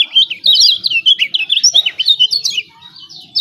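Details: Kecial kuning, the lemon-bellied white-eye of Lombok, singing eagerly as a lure for birds that refuse to sing; fast, tumbling series of high twittering chirps and slurred notes, easing off near the end.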